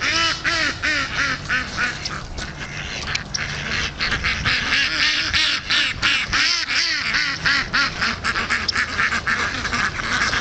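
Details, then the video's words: Indian Runner ducks trapped on a frozen pond, seen for the first time, give loud nasal quacks in rapid overlapping series, roughly three per second, several birds calling together almost continuously. "Indian Runner Ducks trapped in the frozen pond"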